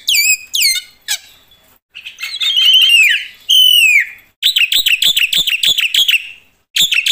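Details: Black-winged myna singing loudly and vigorously with full fill-ins: a varied run of loud whistled notes, downslurred and rising phrases, then a rapid series of sharp harsh repeated notes, with short pauses between bursts.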